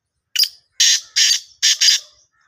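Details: Black francolin calling in Sindh, Pakistan. A brief first note is followed by three rasping, broad-toned notes, the final one split in two, forming one crisp phrase in about two seconds.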